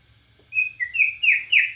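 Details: Borneo white-rumped shama in cililin-style song: a short burst of clear whistles, steady then swooping down and up, gaining loudness.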